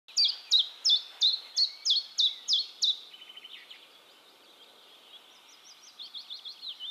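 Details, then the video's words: Common chiffchaff singing in Heemskerk, the Netherlands, recorded with a RØDE VideoMic: about eight loud, high, alternating chiff-chaff notes at roughly three per second, then a softer run of quick notes and a faint distant phrase. "Chiffchaff Singing"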